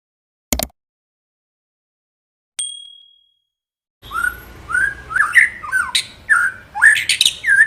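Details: White-rumped shama song played to stimulate other shamas to sing: two sharp clicks and a brief ringing tone, then from midway a run of rich, varied whistled phrases, slurred and rising and falling, with scratchy high notes between.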